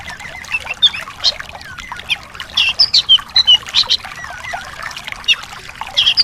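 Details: Song of a thrush meant to stimulate lazy caged thrushes: scattered sharp whistled notes and quick slurs in irregular bursts, over a steady hiss of distant chirping birds.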